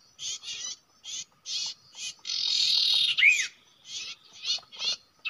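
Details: Common iora at a trapping spot where it normally nests: a string of short rasping bursts and a long buzzy chatter, broken by one bright, downward-curving whistle.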